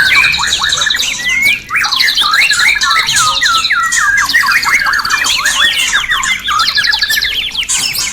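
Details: White-rumped shama singing nonstop, used at night to push caged birds into breeding condition: fast sequences of downward-sweeping whistles mixed with rattling trills and high chips.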